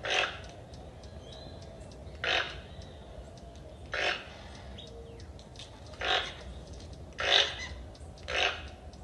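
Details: Toucan, a noisy rainforest bird: harsh, broadband croaking calls given singly at irregular intervals of about one and a half to two seconds, six in all, over a steady background hiss.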